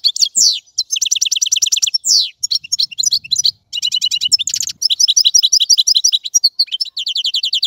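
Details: European goldfinch singing a fast, varied twittering song of high, sharply rising and falling notes, with dense buzzy trills and short downward-sweeping slurs, almost without pause.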